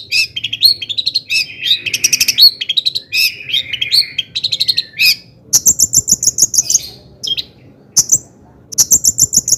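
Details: Long-tailed shrike singing hard to provoke other shrikes into song: varied warbled phrases of chirps and whistles, then repeated runs of fast, very high trills separated by brief silences.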